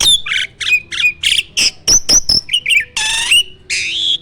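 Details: Starling song used to provoke competition: short squawky chirps, a few clear high whistles and a loud harsh buzzy note near the end, delivered in separate bursts.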